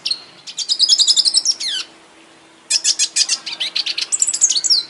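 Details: Red siskin from an aviary singing a high twittering song: rapid runs of sharp chirps and short whistles, a fast trill, then a pause of nearly a second before another burst of buzzy, sliding notes.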